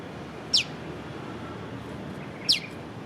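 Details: Prenjak lumut prinia calling piw, recorded with a Leica V-Lux camera: two crisp, steeply falling whistled notes about two seconds apart over a soft, even background hiss.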